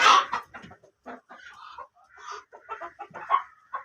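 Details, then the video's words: Black ducks give a rapid run of short, broken nasal clucks and chatters, about three or four notes a second, loudest at the start. "black ducks original sounds"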